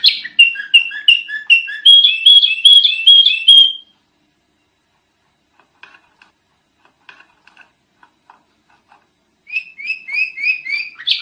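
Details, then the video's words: Sooty-headed bulbul training-style song: a fast series of rhythmic whistled doublets that climbs slightly for nearly four seconds, several seconds of near silence with faint ticks, then the repeated phrase returns. "Kicau Kutilang Masteran Edan Brisik Banget"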